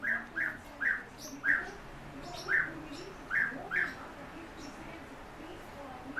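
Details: European bee-eater (Merops apiaster) call: seven short, rolling mid-pitched notes at an uneven pace over four seconds, against a faint background hiss.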